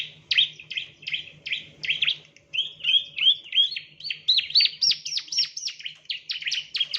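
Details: Training lure of a ciblek, or bar-winged prinia: continuous high chirping, steady notes at first, then rising into brighter, sharper downslurs toward the end, with a soft low hum beneath.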